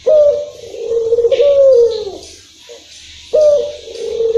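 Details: Long-rhythm coo of a local Barbary dove: a deep, humming note held for about two seconds with a slight wavering, a short lull with faint noises, then the next coo begins sharply.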